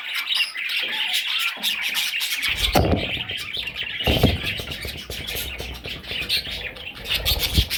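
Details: Parrot chicks giving a dense run of raspy, high chattering calls, with sharp clicking bursts and low thumping noise in the second half.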